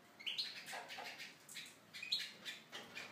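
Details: Tunisian goldfinch in an aviary giving scattered high twittering phrases with soft fluttery gaps between them.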